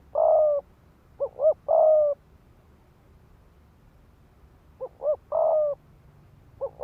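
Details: Decoy spotted dove cooing to goad males into fighting: long steady coos alternating with pairs of short rising notes, two phrases separated by a pause, soft low background noise.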